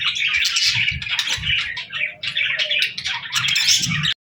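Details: Parakeets chirping in the morning: loud, continuous chattering warble with squeaky chirps in short pulses, a few low thumps underneath, stopping abruptly just before the end.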